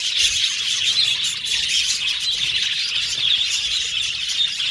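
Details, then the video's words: Colony of Australian budgerigars in an aviary: a dense, continuous chorus of overlapping high chirps, squawks and warbling chatter, steady in loudness throughout with no other clear sounds. "Budgies Birds Natural Sound | Budgies Chirping Sound | Budgies Singing Sound"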